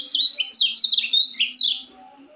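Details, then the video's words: A young white-eye just learning to sing: a quick, high twittering warble of sliding chirps, running steadily for about two seconds before stopping, over faint room noise. "suara ngejos kecial baru belajar bunyi"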